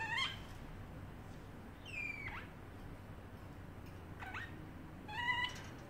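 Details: A pet parrotlet in its cage imitates a cat, giving short, harmonic, falling meow-like calls over low background hiss.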